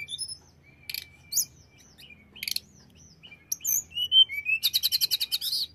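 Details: Provoking song of a hill blue flycatcher: scattered thin whistles and short buzzes, then a rising slurred phrase ending in a fast, loud rattling trill.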